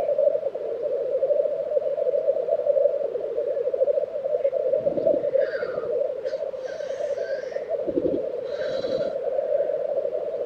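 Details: Black grouse males displaying at a lek in Tiveden, Sweden, April 2023: constant low bubbling coos, then several loud, rasping hiss bursts in the second half, with low thuds between them.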